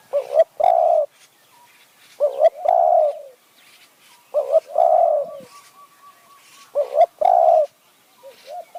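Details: Decoy spotted dove calling in khu ang and nun ang styles to lure wild doves in high forest at Kanchanaburi, Thailand: four repeated phrases, each a quick double coo then a longer full coo.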